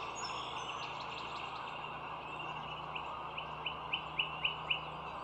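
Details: Overhead nest camera at the Dulles Greenway, 07:16 on 25 March 2022: a bald eagle gives a rising chatter of about seven sharp, squeaky whistled notes, spaced a quarter-second apart, amid heavy traffic hum and a brief high bird trill.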